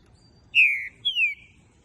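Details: Young captive-bred green-winged saltator, of a Pica Pau x Fogueira line, from a Brazilian breeding facility: two clear, high, downward-sliding whistles, the second shorter and higher at its start, over faint low background hum.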